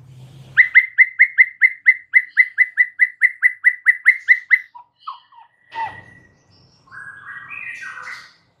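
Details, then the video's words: White-rumped shama song played to get a silent bird singing: a fast, steady series of about twenty repeated chirped notes, followed by scattered whistles and a buzzy phrase amid faint low hum. "99% EFEKTIF jadikan Murai BISU seketika NYAUT dalam HITUNGAN DETIK"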